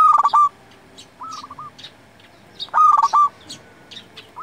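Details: Local Zebra Dove in song, meant to lure and tutor doves: loud clipped coo phrases alternating with a softer rolling coo, with faint high chirps scattered throughout.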